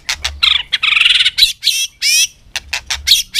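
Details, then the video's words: White-rumped shama in a singing contest, afternoon sun: harsh, buzzy, grating notes and rasping bursts delivered in rapid succession. "chòe lửa căng lửa hót đấu siết nắng chiều"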